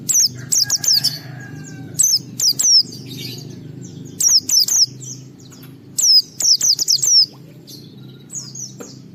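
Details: White-eye song used to provoke other white-eyes into singing: bursts of high, sharp descending whistled notes in quick runs of three to five, separated by short pauses, over a faint low hum.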